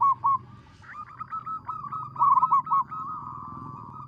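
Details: Loud local zebra dove song used as a lure for trapping. A rapid chain of short arched coos on one pitch opens with two louder notes, fades into softer notes, then ends in a steady tone.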